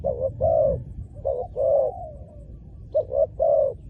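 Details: Spotted dove, calling while used to lure wild doves on the ground, delivers a few deep, rounded coos, one trailing off into a long fading slur, over low rumbling noise.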